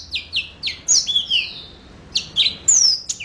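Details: Short run of yellow-fronted canary notes: clear downward-slurred whistles given about every quarter second, a few longer drawn-out sweeping tones, then more slurred chirps after a brief gap.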